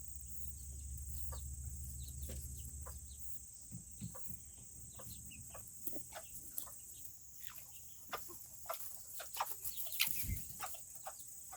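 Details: Serama chickens, called the world's smallest chickens, kept in a coop on a cooler Tuesday; soft scattered clucks and short chirps over a steady stream of small clicks and pecking-like taps, with a low hum early on.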